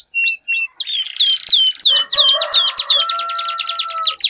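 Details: Canaries dueling with long rolling song. Clear descending whistles and a buzzy passage lead into fast sweeping trills over a lower steady drawn-out tone.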